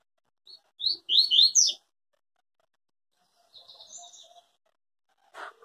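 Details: Papa-capim, the yellow-bellied seedeater, delivering its Tui Tui style song: a short burst of bright, slurred high notes, then a pause, a softer trailing phrase of thin notes, and a brief click near the end.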